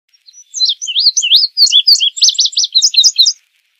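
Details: Indigo bunting (Passerina cyanea) song: a bright, high, rapid phrase of sweet paired and repeated notes, some slurred up and down, lasting nearly three seconds against a silent background.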